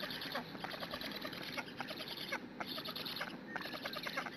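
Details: Black stork storklets, filmed on a live-streamed Hungarian nest on a June morning, keep begging until a parent comes to feed. Fast, squeaky, pulsing chatter runs throughout, with short gaps between bursts.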